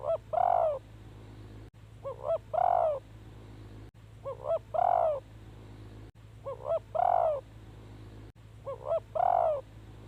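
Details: Spotted dove kept as a decoy to lure wild doves, repeating a short phrase of two quick clipped notes and a longer, fuller coo about every two seconds, over a steady low hum.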